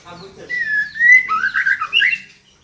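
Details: Female white-rumped shama calling to stimulate a male to sing: a steady whistled note rising into a rapid series of warbled, buzzy slurred notes, loud and close, ending abruptly.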